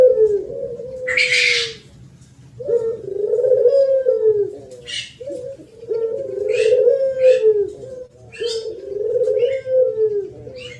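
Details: Spotted dove in thổ pháp song, used to rouse males and females: five low, rounded cooing phrases separated by short breaks, accompanied by frequent high chirps and a burst of twittering from other birds.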